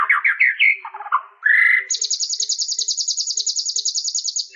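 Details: White-rumped shama song: a few quick slurred phrases, then a long, even, rapid trill of high notes repeated steadily for several seconds.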